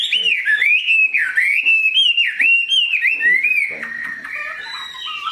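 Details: Caged Chinese hwamei, tame and big-bodied, known for an excellent voice, repeats pure, looping whistles in a steady rhythm, dipping and rising, then softens into quieter, lower notes near the end.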